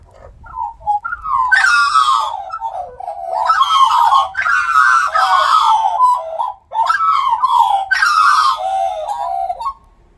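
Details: Five Australian magpies on their daily visit carol together in rich, warbling, flute-like phrases that rise and fall, with overlapping voices in two long bursts.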